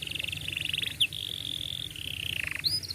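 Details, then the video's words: Canary song for training young canaries: a held rolling trill that steps down in pitch, a brief bright note in the middle, ending with short high upward chirps. "KENARI GACOR PANJANG cuit cuit Ngerol Rapat Paling Dicari Untuk Pancingan Kenari Paud Belajar Bunyi"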